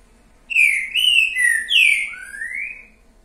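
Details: Green-winged saltator singing the boiadeiro song style: four loud, clear whistled notes, the first three level or slightly falling, the last a long rising slur, in a quiet setting.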